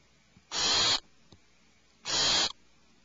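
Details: Alarmed owlets in a nest cavity give two harsh, hissing screeches, each about half a second long and a second and a half apart, with near silence between them.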